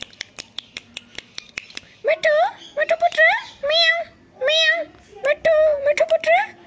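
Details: Talkative pet ringneck parrot loudly and rapidly copying a cat meow, "miyaon miyaon": a string of dry ticking clicks first, then five nasal, wavering meow-like calls in quick succession.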